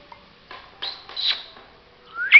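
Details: Parrot that talks in four languages gives short, breathy high-pitched sounds, then ends with a loud, sharply rising whistle.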